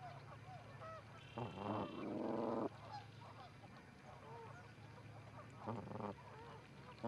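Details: Two Canada geese visiting an osprey nest at Charlo, Montana, on 4-7-18, recorded by a live nest camera: a few hoarse honks in short bursts, with small birds chirping softly throughout.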